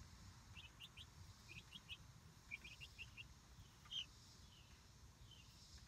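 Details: Light Brahma chicks, about a month old, exploring their outdoor coop-run. Bright, thin cheeps come in quick pairs and short runs, then a louder single peep, over a soft rumbling background.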